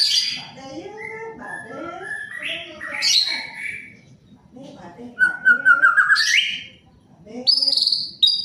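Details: Male white-rumped shama in varied song, mixing whistled slides, a fast rattling trill and high sharp notes, with quieter pauses between bursts and faint low background noise.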